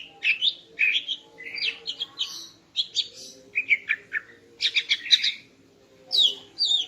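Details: Female greater green leafbird singing in the morning to arouse a male: a lively, varied stream of short whistled and chattering phrases, rapid slurred notes jumping between mid and high pitch, broken by brief pauses, with a faint low hum beneath.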